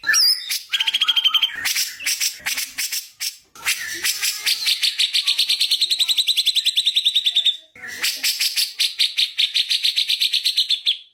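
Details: Magpie-robin masteran recording: scattered varied high chirps and clicks at first, then two long, rapid, rattling trills of bright, evenly spaced notes, the second following after a short break.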